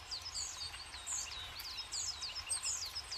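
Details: Tits visiting a forest feeder stocked with sunflower seeds in winter give thin, high chirps and downslurred tweets in quick, uneven succession over a steady background hiss.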